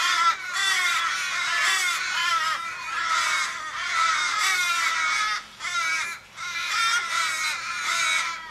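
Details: A chorus of Australian ravens surrounds a fallen flock mate in a Sydney street, winter 2012: overlapping long, wailing caws, nearly continuous, each drooping in pitch at its close, with brief pauses near the end.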